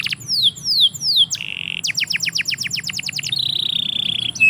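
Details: Canary singing in a yard: three long falling whistles, a buzzy note, a quick series of steep downward sweeps, then a drawn-out trilled roll and a short whistle.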